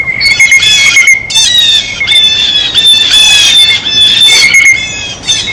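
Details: Blue jays feeding at a feeder: harsh, nasal squawks with layered overtones, overlapping in bursts almost throughout, over a thin, steady high whistle-like tone.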